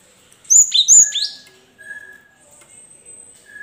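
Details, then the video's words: Cinereous tit singing to encourage caged birds that will not sing: two bright, high whistled notes each sliding steeply downward, followed by a faint, thin, steady tone and quieter background chirps. "pancingan gelatik batu macet bunyi biar gacor sahut sahutan"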